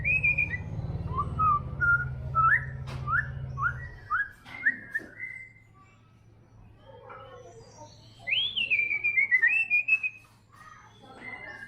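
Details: White-rumped shama (murai batu, trotol type) singing vigorously: a run of short rising whistled notes about twice a second, a quiet pause, then a loud swooping whistle falling into a rapid warbled trill; low hum at the start.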